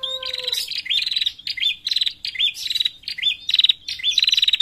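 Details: A female bar-winged prinia, used as a lure call, gives a fast, chattering run of high, buzzy chirps, several per second, after a brief thin whistle at the start.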